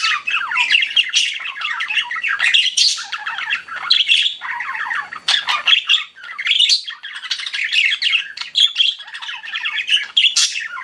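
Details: A group of pet budgies chirps continuously, layering buzzy squawks, quick warbled trills and sharp high chirps in a dense, restless chorus.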